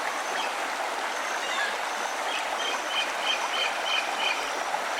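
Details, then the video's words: Small birds sing in short, high, repeated chirps, partly masked by loud, steady rushing water. "Bird soungs"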